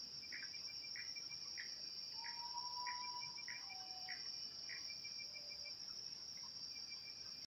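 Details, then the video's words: A common potoo sings at 20:47 on a new-moon night, 11 October 2019: slow mournful whistles, each falling lower than the last, over a steady shrill insect drone, with frogs also calling in quick repeated chirps. "Urutau cantando"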